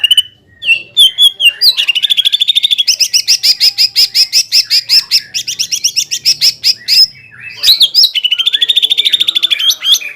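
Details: Greater green leafbird in full, lively song used to provoke a rival bird: rapid runs of sharp repeated notes around a steady bright pitch, rising chirps at the start and a fresh fast burst near the end.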